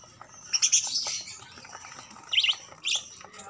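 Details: Budgerigars enjoying sunlight in winter give quick, high chirps and scratchy warbles in short irregular bursts.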